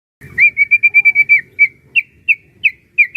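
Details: White-rumped shama, a Medan-type bird kept by bird hobbyists, singing as a trainer to provoke other shamas to sing: a fast run of about nine clear whistled notes on one pitch, then slower, evenly spaced, slightly slurred whistles.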